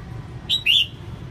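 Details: Female red-whiskered bulbul singing to excite males gives two clear notes, a brief high chirp then a longer, lower, bright whistle, with a soft low hum behind.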